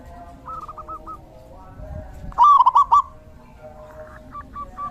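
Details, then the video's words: Zebra dove in the rainy season gives one strong burst of four or five fast, tremulous coo notes, preceded and followed by fainter, similar coo phrases from farther birds. "Suara Terapi perkutut/Merbuk di Musim Hujan!!!"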